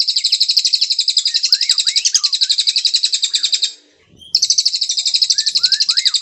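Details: Clear canary song meant to teach white-rumped shamas longer phrases: a fast, even, high trill lasting nearly four seconds, a brief pause, then another trill, with soft lower rising chirps faint underneath.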